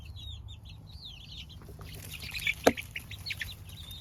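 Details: Baby chicken chicks peeping: a string of short, high, downward-sliding chirps in quick succession, with a sharp knock near the middle, then scattered thinner peeps over a low steady hum.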